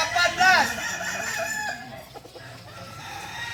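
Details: Kukuak Balenggek singing chicken from Solok in crowing practice; a short, bright stepped crow opens, then fades into softer trailing notes and background murmur.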